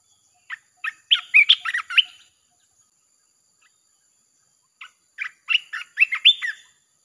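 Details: Red-whiskered bulbul singing in a nonstop 'chopping' style, used to lure wild birds: two bursts of quick, rich, warbled notes, each burst a jumble of short liquid phrases, separated by about three seconds of silence.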